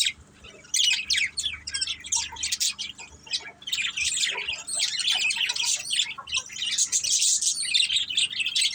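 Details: Budgerigars in a family group giving rapid scratchy chirps and squawks in choppy bursts, growing into steady chatter from several birds.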